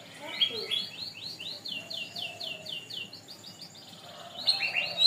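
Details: Canary tutor song from a long masteran for training birds: a run of swept chirps repeated at a steady quick pace, shifting into a faster buzzy trill and louder sharp notes at the close.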